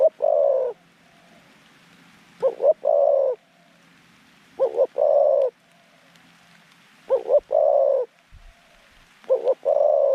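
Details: Zebra dove singing as a decoy to attract wild doves, repeating a phrase about every two and a half seconds: two quick clipped notes, then a long purring rolled coo.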